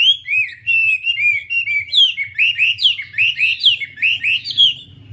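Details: Wambi singing steady whistled phrases, flat notes at first and then rising-falling swoops roughly every half second, clear and loud over a soft low hum.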